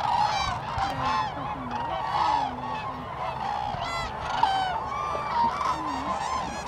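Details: Common cranes at Lake Hornborgasjön, Sweden, in April 2017: a dense chorus of loud trumpeting, bugling calls from many birds overlapping continuously, with harmonic-rich notes and a steady background murmur of the gathered flock.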